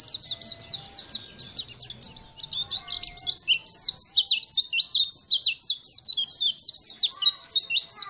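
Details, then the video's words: Master song of a constantly singing champion Sunda white-eye, meant for teaching other birds: a fast, steady stream of piercing downslurred notes, several per second, with faint low whistles early on. "Masteran pleci gacor"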